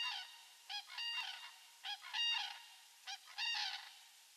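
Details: Osprey at a Eurajoki nest in Finland on 25 April 2022, during a sky-dance courtship display to an unringed female: bursts of harsh, harmonic calls about every 1.2 seconds, with steady wind hiss.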